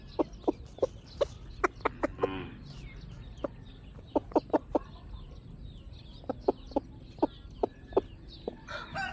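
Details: Several chickens clucking in short sharp notes, irregularly spaced, with a brief rattling rasp early on and softer murmuring calls in the background.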